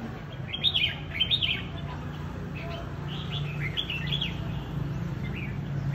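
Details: Red-whiskered bulbul, a new fighting bird taken out to meet other birds, giving short bright whistled chirping phrases in quick bursts, several in the first two seconds and more after four seconds, over a steady low hum.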